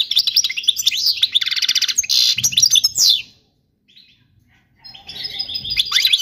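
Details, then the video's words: Song of a European goldfinch used to train young birds: quick high twitters, a buzzy trill and sharp chirps for three seconds, a brief silence, then the twittering resumes over a faint low rumble. "تغريد الحسون الملكي خالي من الاخطاء لتعليم الفراخ"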